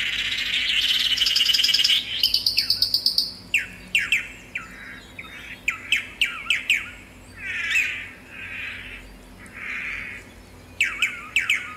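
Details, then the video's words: Swallow-tailed manakin gives a buzzy trill, then a high rattling burst. Many sharp, descending whistled notes follow, broken by soft rounded buzzes and ending in a few more quick falling notes. "Canto do pássaro "tangará""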